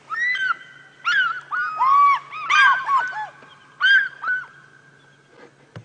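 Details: African fish eagles call near a water hole on a morning safari drive, around 7:30 AM on 18 August 2016, one bird flying: loud, ringing yelps rising and falling in quick bursts, two birds seeming to trade notes over a low engine hum.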